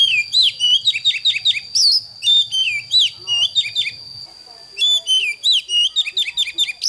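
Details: Young oriental magpie-robin being trained to sing, singing in the morning: a rapid, varied run of sweet whistles and bright chirps in quick bursts, with a steady high electronic whine underneath.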